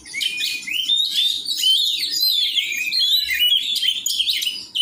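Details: Oriental magpie-robin (kacer) at a joint training session: a continuous high song of clear whistled slurs and rapid chirps, with a faint low murmur underneath.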